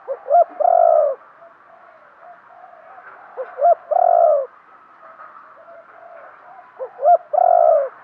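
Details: Spotted dove kept as a decoy, calling to lure wild doves, with three evenly spaced phrases of two short notes and a long descending coo about every three seconds.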